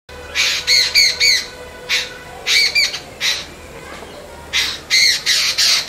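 Jungle babblers give harsh, squeaky chattering notes in bursts of two to four, repeated several times, with a faint steady hum underneath.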